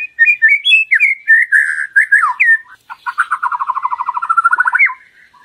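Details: Murai batu, the white-rumped shama, in a lure recording meant to push a shama to sing loud and full. Warbling whistled phrases come first, followed by a fast, even trill that rises at its end.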